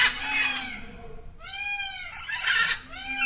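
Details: Captive female Indian peafowl crying at Zoo Villa Dolores: three loud, nasal, richly harmonic honks, each about a second long, the tone dipping slightly then levelling, separated by short quiet gaps.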